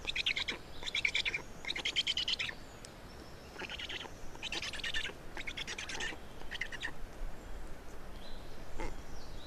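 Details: Black storks feeding at their nest in Estonia on 27 May 2019; short grating, buzzy bursts come in a broken series with pauses between, growing sparser and fainter toward the end.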